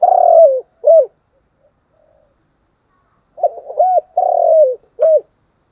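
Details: Continuous cooing of a spotted dove in the 'thúc gù' style: a long throbbing coo and a short arched coo, a silence of over two seconds, then the full phrase again with soft lead-in notes.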